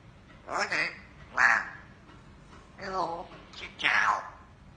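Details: African grey parrot mimicking human speech in Vietnamese: four short, voiced, speech-like phrases with clear harmonic bands, spaced by brief pauses in a quiet indoor setting.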